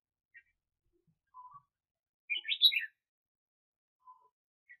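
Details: Decoy red-whiskered bulbul for bird trapping, 2021: one short, loud, jumbled phrase of quick chirping whistles, flanked by a few faint isolated lower notes before and after.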